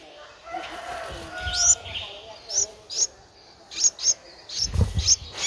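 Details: Streak-eared bulbul nestling, 11 days old, in Ubon Ratchathani, Thailand, 13 April 2023, begging: high, scratchy chirps in short bursts at irregular intervals, with soft background noise and a low thump near the end.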